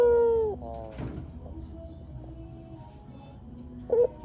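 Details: Barbary dove cooing as a lure sound meant to draw wild doves to answer and to train caged birds: one loud, low, steady coo slowly falling in pitch, then quieter trailing notes and a short coo near the end.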